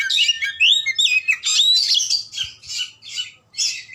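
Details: Loud, lively song of an Oriental magpie-robin, mixing rising and falling whistles, quick twitters and harsh scratchy bursts, delivered in rapid bursts with short pauses in between.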